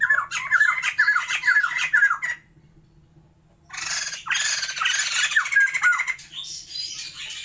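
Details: A caged pair of white-crested laughingthrushes from Sumatra, kept for breeding, opens with a run of repeated downslurred whistles, falls silent for about a second, then bursts into dense harsh squawking chatter; a faint low hum runs throughout.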